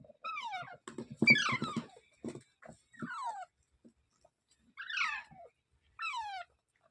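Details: Parrot calling with scratchy, downward-sweeping screeches, several in quick succession early on amid loud clattering and thumps, then two more isolated falling squawks after a quiet gap.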